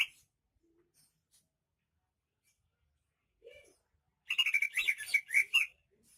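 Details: Greater green leafbird of Banyuwangi origin: a short whistle, long quiet, a soft low note, then a dense, fast, chattering warble of overlapping whistled notes lasting over a second.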